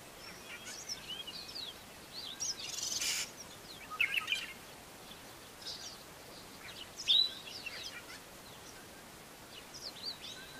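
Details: Black-bellied Starling, a male, singing its usual song with mimicry: scattered high squeaky chirps, whistles and buzzy notes in short bursts, one louder burst near the middle, over steady background hiss.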